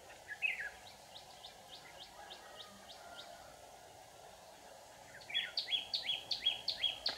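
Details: White-cheeked red-whiskered bulbul used as a trapping decoy, singing fiercely in the 'ché' style to lure rivals; faint high chirps at first, then a loud run of quick, sharp repeated notes near the end over steady hiss.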